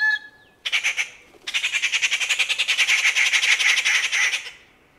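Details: A rufous treepie (Dendrocitta vagabunda) gives a brief fluty whistle, then a short harsh burst and a long grating, rapidly pulsed chatter lasting about three seconds.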